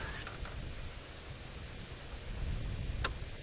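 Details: Quiet low rumble and faint rustling, broken by a single sharp click near the end, with no animal voices.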